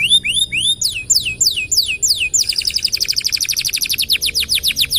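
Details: Canary singing a long tutor song for other birds: a few slow looping whistles, then a fast even trill of sharp repeated notes near the top of its range.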